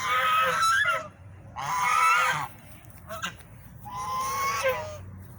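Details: Swans giving loud, rough honks in three separate bursts, each about a second long, with a brief quieter note between them.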